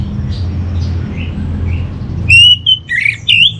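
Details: Orange-headed thrush training song: after faint scattered chirps, loud clear whistled notes and a burst of harsh squeaky phrases end the passage, with low background hum.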